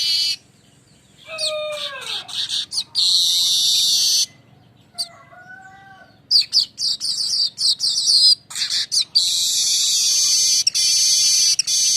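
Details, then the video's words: Manyar kembang (streaked weaver) lure song in the rolling 'ngerol' style: slurred descending whistles, then loud buzzy, sizzling high-pitched bursts that start and stop abruptly, broken by short silent gaps. "suara besetan ngerol burung Manyar"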